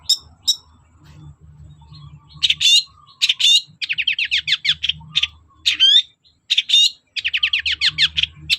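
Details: Vigorous Long-tailed shrike song used as a lure for shrikes that are slow to sing. Fast ticking trills alternate with sharp upward whistles and scratchy notes, over a steady low hum.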